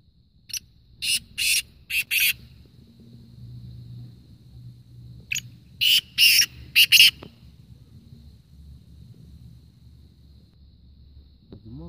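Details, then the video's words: Black francolin calling in a contest between birds, Kohat, Khyber Pakhtunkhwa, Pakistan: two loud series of harsh, grating notes, each made of four or five short bursts, separated by a pause, over a faint low background hum. "Kala teetar _awaz|black francoline_ voice"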